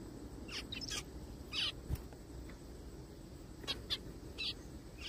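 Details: Zebra finches in a forest giving scattered short, nasal call notes, some in pairs and some single, with quiet pauses between, over a constant low background rumble.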